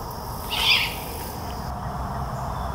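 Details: A single raspy, breathy screech, short and rough, from a juvenile great horned owl at Fenner Nature Center in Lansing, Michigan, in 2021, begging its parents for food; quiet hum of the surroundings behind it.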